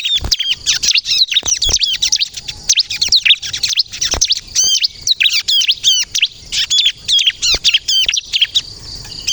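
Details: Lively bar-winged prinia (ciblek kristal) song for luring: fast repeated high chirps and looped whistled notes in rapid phrases, with brief gaps between bursts.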